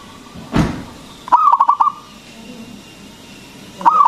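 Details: Local zebra dove whose loud song is used to lure and stimulate other doves into singing. A short burst of rapid, stuttering mid-pitched coo notes follows a dull thump, and a second burst begins at the very end.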